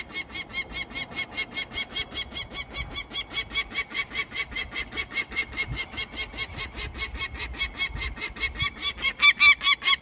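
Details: A female peregrine falcon gives a harsh, grating kak-kak-kak alarm at her cliff eyrie as banders collect her three nestlings, about two to three notes a second, growing louder toward the end; faint human voices nearby.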